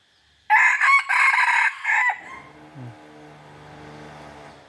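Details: Decoy rooster praised for crowing very well. It gives one loud, harsh, segmented crow lasting about a second and a half, followed by low background hum and faint sounds.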